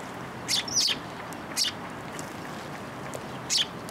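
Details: Afternoon sparrows at a shrine's feeding platform, March 2023, coming for food: a cluster of high, falling chirps followed by single chirps a second or two apart, with soft ambient noise.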